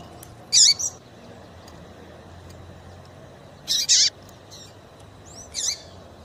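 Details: Double-collared seedeater female call, used to warm up males: short, high, slurred chirps in three bursts spread over six seconds, with a brief double note in the middle and long pauses between.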